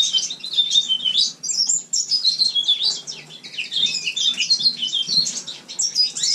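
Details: Indoor winter recording of a captive house finch in a shared room: sustained, lively twittering song of quick chirps, trills and slurred whistles running without a break, with light room noise.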